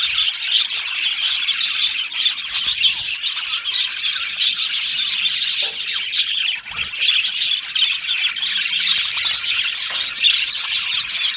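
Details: Budgerigar aviary colony in full chatter: many overlapping high-pitched chirps, trills and twitters for over ten seconds, with a brief lull near the middle before the chorus swells again.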